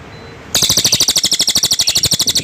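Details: Cililin bird breaking into a loud, rasping trill of quick, regular pulses after a brief quiet moment, continuing steadily for nearly two seconds.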